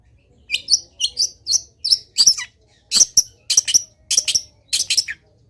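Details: Long-tailed shrike in full, lively song used as a training recording, full of varied filler phrases: rapid bursts of sharp, high chattering notes, some with short whistled tones, in clusters about every half second.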